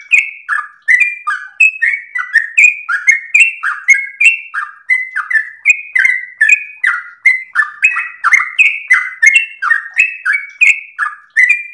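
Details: Sooty-headed bulbul in full, constant song, used as a master recording to train and provoke other birds: an unbroken chain of quick, sweet whistled chirps swinging between high and low pitches.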